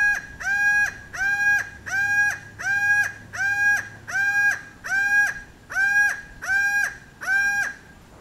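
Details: Laughing falcon (Herpetotheres cachinnans) at Casa Tropical, Manuel Antonio, Costa Rica, gives loud, nasal, ringing 'gwah' notes, about one per second in a steady series, with nothing else prominent.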